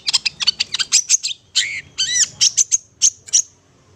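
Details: Long-tailed shrike song intended for luring birds, quick sharp chattering notes, then arched ringing phrases and a series of thin high clicks.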